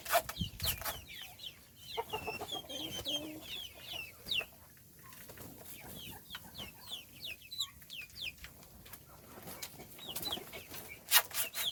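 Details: A group of young chicks chirps busily while feeding. Dense runs of thin, falling peeps overlap, with a brief lull midway. Loud clicks and knocks sound at the start and end.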